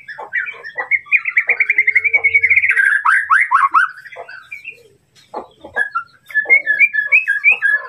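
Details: White-rumped shama song meant to rile a rival: a fast, even trill of repeated whistled notes, then tumbling slurred phrases, a brief quiet spell, and a final run of bright chirps.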